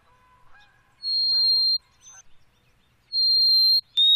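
A white-throated sparrow sings clear, pure, high whistles, each held steadily for nearly a second, with faint chips and notes from other birds in between.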